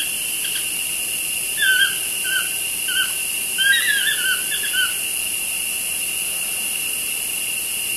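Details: Toucans chatting by a studio window: a spaced series of brief yelping notes, then a busier tumble of overlapping downward squeals, over a persistent high insect hum.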